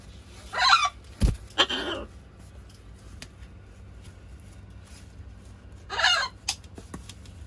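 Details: Playing with its owner, a pet macaw gives three loud, rough squawks, two close together early and one more after a pause of about four seconds, with a thud and faint clicks between them.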